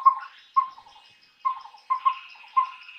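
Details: Collared owlet calling in the daytime, giving short, mellow whistled toots, single and in quick pairs, about every half second to second, with a faint higher buzzing hum behind.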